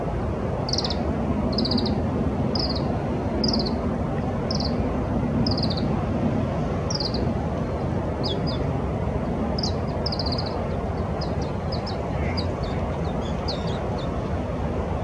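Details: A Daurian redstart, one of a pair, on the right bank of the Arakawa River, Senju, on 18 November 2017, gives thin, high whistled calls about once a second over a steady low rumble.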